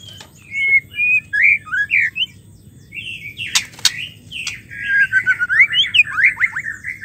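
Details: Call of a female white-rumped shama, played to prompt stressed males to resume singing. Separate whistled notes rising and falling, then a sharp click and a quick jumbled series of slurred chirps and down-slurred notes.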